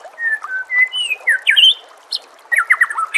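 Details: Varied song of a white-rumped shama, with steady whistled notes stepping between pitches, then a burst of quick descending slurred notes, rich and changeable in rhythm.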